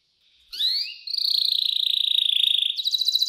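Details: A canary gives a luxurious 'cengkok mewah' master phrase for young canaries learning to sing: a rising swoop, a long sustained high tone with a fine rapid flutter, then a faster pulsed trill.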